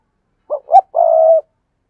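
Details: One clean spotted dove phrase: two brief hollow notes, the second louder, followed by a long level coo lasting about half a second.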